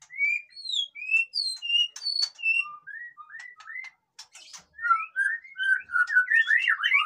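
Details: White-rumped shama song to provoke silent caged birds into singing: varied whistles jumping between high and low pitches, ending in a dense, fast tumble of overlapping rising notes.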